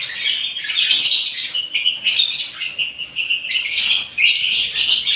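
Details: Several different kinds of lovebirds chatter in a dense, continuous stream of high, shrill chirps and twitters, with many birds overlapping without pause.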